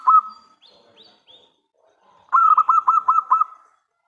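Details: Local zebra dove song used as a lure for other doves: one single coo, faint high thin whistles, then a quick phrase of about six staccato bubbling notes.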